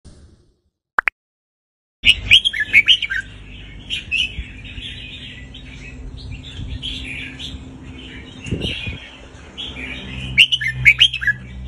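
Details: Red-whiskered bulbul song played to teach young birds and rouse other birds: after a short silence, bright bubbling whistled phrases burst out near 2.5 seconds and again near 10 seconds, over a steady chatter of many distant birds.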